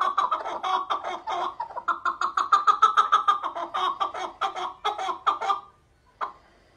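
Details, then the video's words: Chukar partridge (keklik) delivers a long burst of rapid, rhythmic chucking notes, loud and harsh, then stops abruptly. After a short silence comes one last single note. Recorded indoors with a faint echo. "Keklik Sesi Efsane (Keklik Hengamesi)"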